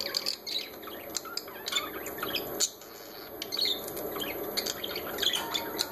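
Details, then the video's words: Parakeets keep up an unbroken jumble of squawks, thin chirps and scratchy notes, several birds calling over one another against a faint electrical hum. "Parakeets are enjoying"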